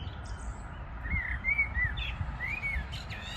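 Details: Birds singing on a morning of 14 June 2022: a series of clear whistled notes, some rising then falling, separated by short pauses, with faint high chirps at the end and constant low background rumble.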